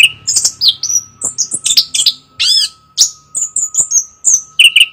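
Chestnut-capped thrush in rich, fast song: a tumbling run of high whistles, slurred sweeps and chattery notes, each phrase different, over a faint steady hum.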